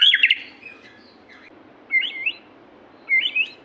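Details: White-rumped shama in 'gacor' singing: one brief chattering burst, then two separate short, looping whistled phrases spaced about a second apart over steady background hiss.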